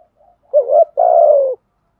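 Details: One phrase from a 'thổ'-voiced decoy spotted dove: faint soft lead-in notes, a wavering rising note, then a long, buzzy, slowly falling coo.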